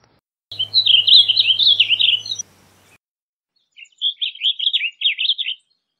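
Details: Blue grosbeak singing two bursts of fast, jumbled high warbles, the first accompanied by a steady low hum, then a pause of over a second before a shorter, similar phrase.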